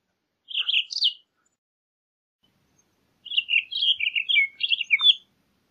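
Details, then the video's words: Short bursts of Townsend's solitaire song: a quick two-part warble, a long silent gap, then a longer jumbled phrase of rising and falling sweet notes. "Townsend's Solitaire Song! Townsend's Solitaire Call!"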